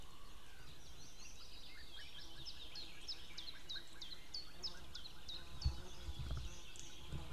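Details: Outdoors on 2 May 2016 around midday, a female White-tailed eagle calls while a male answers from afar: a long, evenly spaced series of about fifteen high, clipped yelps over a constant low hum, with a few soft thumps near the end.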